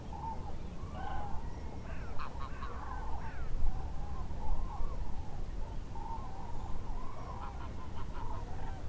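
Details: Common Cranes leave the lake roost at Lac du Der-Chantecoq, northern France, before dawn to feed in the surroundings. A flock chorus of rolling trumpeting calls goes on throughout, with sharper harsh calls from other birds breaking in, over a low rumble.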